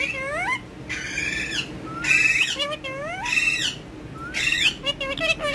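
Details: Pet ringneck parakeet talking in Urdu and Hindi with a mobile phone: phrases of rising harmonic notes alternating with buzzy, broad squawked syllables roughly every second.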